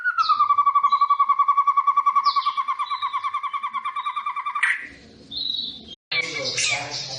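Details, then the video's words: White-rumped shama of the Medan variety: a long, even trill of rapidly repeated mid-pitched notes, with a higher note echoing above it for about four and a half seconds, then breaking into a harsh, noisy burst of sound. "Murai medan nagen full mental pembunuh"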